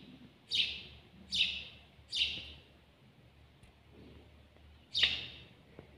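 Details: House sparrow, locally called al-jawj, singing close up: four loud, slightly descending 'cheep' chirps, three in quick succession and then one more after a pause of nearly three seconds, over a quiet low background hum.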